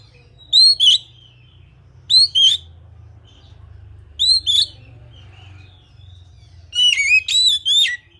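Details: Kacer, the Oriental magpie-robin of Indonesian songbird keepers, giving paired rising whistles with sharp flicks every one and a half seconds, ending in a faster burst of varied whistled notes, over a low background hum.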